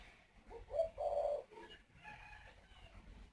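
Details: Male spotted dove at a breeding aviary near Ba Vì, Hanoi, northern Vietnam, climbs to the nest and coos to urge the female to lay her next clutch; a short, low, hollow coo rises above quiet background.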